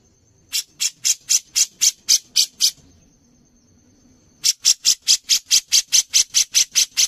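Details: Cucak jenggot (grey-cheeked bulbul) in lively song, meant as a master recording for songbird contests. Eight harsh chattering notes, a pause of nearly two seconds, then a longer steady run of similar buzzy notes.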